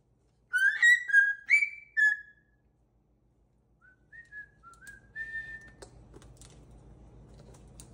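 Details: Pet cockatoo whistles four loud, bright gliding notes, then softer scattered whistles fade in among a low steady hum and faint clicks.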